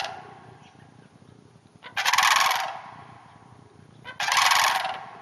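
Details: Sandhill cranes in a neighboring hayfield north of the Twin Cities: after a quiet start, two loud trilled rattles come a little over two seconds apart.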